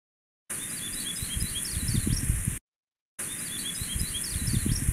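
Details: A Yellow-rumped Warbler, recorded in a ravine behind a house near a creek and a road, sings a loose, high, twittering trill of quick chips, played twice, under steady low creek rushing and distant traffic.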